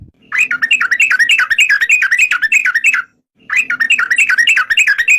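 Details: Two long phrases of rolling, up-and-down bubbly notes from a yellow-vented bulbul, separated by a short silence.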